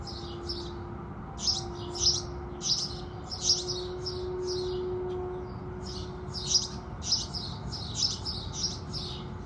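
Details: House sparrows singing at sunrise in the morning: bright, rapid chirps in loose clusters, roughly one or two per second, with brief pauses, over a low steady hum and soft background noise.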